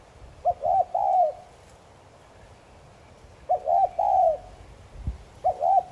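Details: Thúc gù cooing of a spotted dove, used to stir other doves to coo: three phrases of a quick double coo and then a drawn-out arched note, spaced by pauses of one to three seconds.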